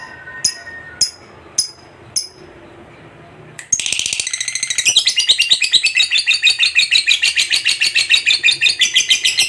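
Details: Contest fighter lovebird with a long ngekek chatter. A few sharp clicks and faint low voices open the recording, then a dense, fast, high-pitched rattling chatter runs unbroken for about six seconds, pulsing roughly three times per second.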